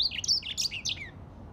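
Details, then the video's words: Grey singing finch giving a short twittering phrase of bright slurred notes that ends with a falling whistle. "تغريد ياسمين رصاصي افريقي chanteur "d'Afrique"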